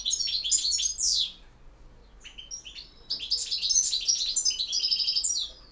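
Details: European goldfinch in campero song. A twittered phrase ends in a sweeping downslur, a few quiet notes follow, and then a long, energetic stretch of tinkling, buzzy twitters.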